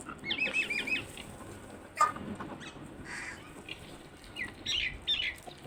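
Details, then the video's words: Crows among other birds: a short run of thin, high chirps opens, then a single sharp click and a harsh, hoarse, broad burst near the middle, followed by a few brief scratchy notes against a faint rustling background. "Crows Sounds"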